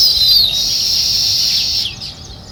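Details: Several sparrows chirp together on a village morning, making a steady high-pitched chattering wash with a few thin descending whistles before it quiets.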